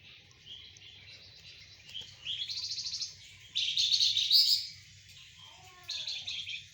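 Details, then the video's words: Flamboyan bird singing vigorously while being sunned together with spotted doves and zebra doves: bursts of high, rapid, buzzy chattering trills, loudest around the middle, with short pauses between phrases and a soft low hum underneath. "Burung Flamboyan gacor saat dijemur bareng tekukur dan perkutut"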